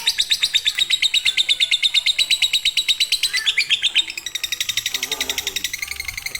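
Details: Lovebird singing in the fighter or konslet style, a tutor song for birds reluctant to sing: a long, fast, buzzy chatter of high chirps, about three a second, that shifts pitch near the end with a brief drop in volume.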